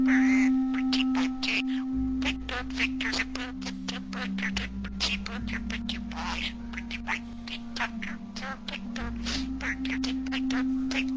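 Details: Male pet budgerigar (Melopsittacus undulatus) from recordings made in his last months of life chatters in fast, scratchy, speech-like syllables over a low musical drone. It is mimicry of human speech patterns, with occasional clearer phrases like "pretty boy".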